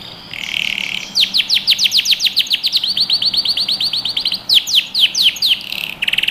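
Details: Domestic canary, yellow, singing as a training model for young birds: rapid series of descending whistled notes about four per second, then a fast steady trill, then sweeping notes again, ending in a short buzzy roll.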